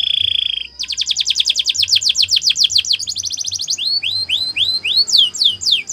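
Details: Canary training song opening on a sustained buzzy note, then a rapid chatter of repeated notes, a faster rattling burst, and slower upward-curving whistles at the end.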